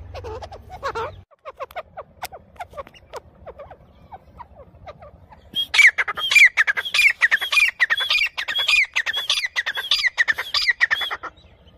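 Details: Grey francolin feeding in jungle: soft scattered notes at first, then a loud fast series of harsh, squawking calls repeated nearly twice per second for six seconds.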